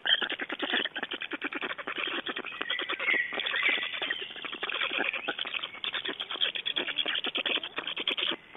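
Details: Black stork chicks at a nest in Estonia on 8 June 2012, begging while an adult brings big fish, with a dense, rasping stream of rapid pulses that runs without pause.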